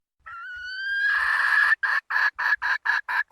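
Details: Wild red junglefowl hen: a drawn-out, slightly rising whistled note, then a quick series of short, harsh clucking notes at about four per second.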